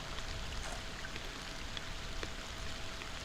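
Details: Constant hiss of flowing water with scattered soft splashes and no animal voices.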